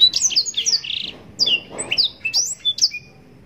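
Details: Blackthroat, a Yellow-rumped serin, in lively, richly ornamented song used for mastering songbirds: bright high slurred notes in quick clusters, a short buzzy trill, then scattered sharp chips tapering off.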